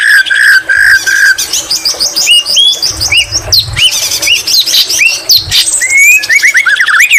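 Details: Energetic white-rumped shama song packed with greater green leafbird mimicry: three steady whistled notes open, then a rapid jumble of chirps, sharp upsweeps, scratchy trills and curling whistles, with a low rumble partway through.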